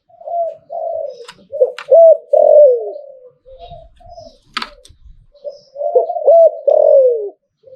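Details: Spotted dove in หลิ่วตัน cooing style, giving two rounds of mellow coos, each closing with loud hooked notes and a long falling tail. Brief faint clicks between phrases.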